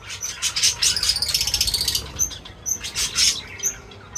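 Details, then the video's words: Birds at a feeder chirping busily: dense, high, scratchy chirps packed together for the first two seconds, then shorter bursts with bright, high ticking notes repeating throughout. "Crazy Birds Feeding Reaction : Birds Chirping Sounds"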